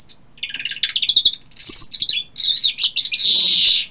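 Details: Singing European greenfinch: fast twittering trills and chirps run together, then a long, harsh, buzzy wheeze closes the phrase.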